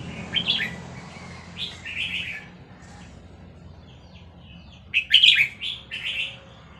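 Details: Red-whiskered bulbul of Vietnamese stock singing along to playback of hatched chicks; short bright phrases come in separated bursts over a steady background hiss, the loudest cluster late in the clip.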